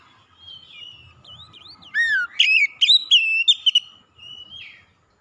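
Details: Oriental magpie-robin singing to goad a rival: gentle wavering whistles lead into a loud, falling whistled slur and a quick series of sharp, ringing notes. The phrase ends in a softer trailing whistle.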